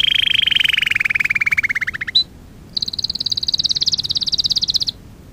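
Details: Lesson song for young canaries: a canary delivers a long rolling trill that drifts slowly downward, a brief pause, then a second very fast, high-pitched steady roll lasting about two seconds.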